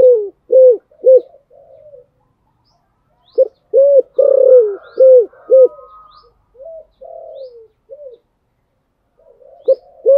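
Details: Spotted dove in Thổ Sấm voice, a contest coo meant to prompt a newly caught bird to coo: clusters of three short, deep, arched hoots separated by quiet pauses, with a longer throaty note and soft trailing murmurs between.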